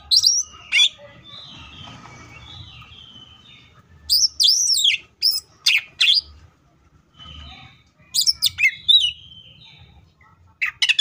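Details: Cucak ijo (leafbird) delivering full tembakan song: quiet soft warbles, then loud arched high chirps in quick groups, separated by short gaps, over faint low background rumble.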